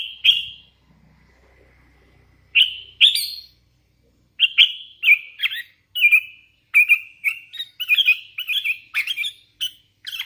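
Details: Hand-raised sooty-headed bulbul singing busily: short bubbly whistled notes and chirps in loose bursts, sparse at first, then quickening into a rapid chattering run of varied phrases, with faint low background hum.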